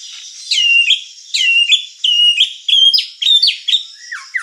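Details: A white-rumped shama whistling a string of clear, downslurred notes, each phrase repeated about once per second with slight variations, some ending in a short high flourish.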